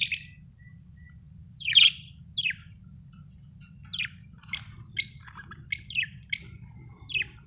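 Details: Happy budgie chirping: short, sparse high chirps and squeaky notes, singly or in quick pairs, spaced about half a second to a second apart over a steady low hum.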